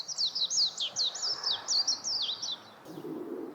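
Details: A warbling white-eye gives a brisk series of high, twisting chirps lasting about two and a half seconds. The song ends in silence, followed by a faint low rustle.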